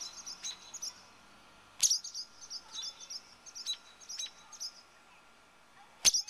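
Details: Two very defensive barn swallows near their nest, protesting a person standing close: rapid bursts of sharp, very high clipped notes in quick clusters, with two louder, harsher snaps standing out.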